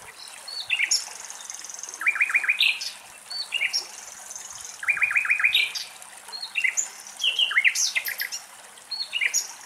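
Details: Common nightingales singing in Greek nature, recorded in Greece. Separate phrases of rapid repeated chirps, piping whistles and sharp high notes come in short bursts with brief pauses, against a faint trickle of water.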